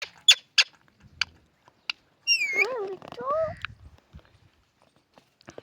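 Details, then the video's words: Parrot singing: a few sharp clicks, then a warbling, harmonic call that slides up and down for about a second, followed by a short rising whistle and scattered faint clicks. "Cute Parrot Singing"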